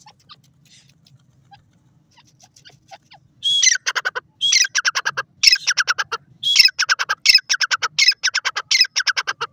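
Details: Grey francolin, also called teetar, male and female voices together. After a quiet start, a series of about six loud phrases begins, each a harsh grating opening followed by rapid, repeated pulsed notes, in an almost continuous chorus.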